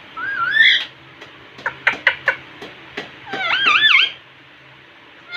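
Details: Nonstop talking Indian ringneck parakeet at a mirror: a rising whistled phrase, a series of sharp clicks, then wavering, warbling speech-like syllables before a brief final note.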